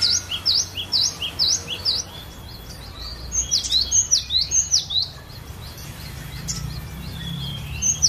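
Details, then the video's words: Long burst of varied song from a collection glatik batu, the cinereous tit, used to draw other birds into song: fast repeated high falling whistles, a quieter stretch, then another run of sharp downslurred notes. "Ocehan Burung Glatik Batu Variasi"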